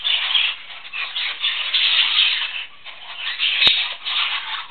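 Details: A hand-tame male spangle budgerigar chatters in a steady, scratchy, rattling warble that rises and dips in loudness, with one sharp click midway.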